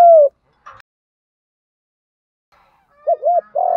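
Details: Spotted dove in the field-voice 'thúc gù' style used to train decoy birds: a short low falling coo opens, then a long pause and a quick pair of hooked coos leading into a sustained one.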